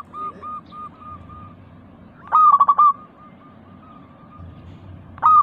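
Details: Local zebra dove in full voice, a lure recording with a clear 'crystal' tone, used to prompt caged doves to sing. Faint, evenly spaced coos lead into a loud, stuttering burst of mellow notes, then a fresh burst starts at the end.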